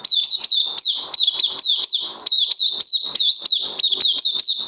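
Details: Singing puteh (oriental white-eye) on combined Lava Direct and Life Force, day two, 31 May 2020: a dense, lively chain of piercing high chirps with quick downward flicks, barely pausing.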